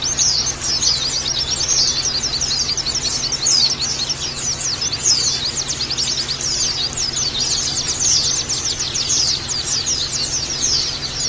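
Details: Oriental white-eye song played as a lure and therapy to make caged birds sing with open beaks. Dense, continuous high twittering of rapid overlapping chirps and trills, with a steady low hum underneath.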